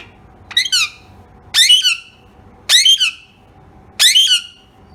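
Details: Pet rose-ringed parakeet giving four loud, harsh, high squawks, each a short falling screech, spaced about a second apart in a quiet indoor room.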